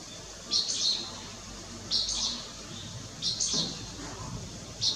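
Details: Recorded at Lugu on 30 June 2022, a striated swallow utters four buzzy, high chirp bursts spaced about one and a half seconds apart, with a faint low thump midway.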